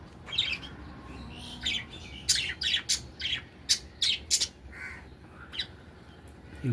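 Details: Pet budgerigars in a small aviary, happy on a cool day, chirping and squawking: bursts of bright, scratchy high chirps in quick clusters, with a few louder harsh notes and short pauses between.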